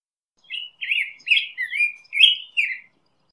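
A Black-headed Grosbeak sings a rich, warbled phrase of about six rising and falling whistled notes, quick and robin-like, over a silent background.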